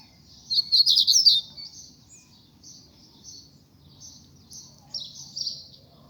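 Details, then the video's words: Coleiro (Double-collared Seedeater) singing after rain while being coaxed to sing: a burst of fast, high, buzzy trilled notes, then spaced short high phrases over a low background hum. "puxando coleiro pós chuva...."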